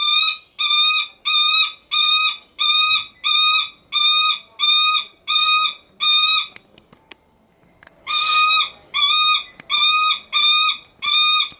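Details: Captive Lanner falcon at a bird park in Kakegawa, Japan, calling nonstop because it wants its keeper's attention: loud, harsh, ringing notes repeated about every half second in a long steady series, with a brief pause before the calling resumes.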